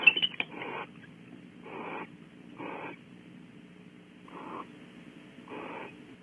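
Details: Barn owls at Audubon Starr Ranch, California, bonding on a branch and then in a nest cavity; soft, breathy hissing bursts are repeated about once a second, with a faint steady hum behind.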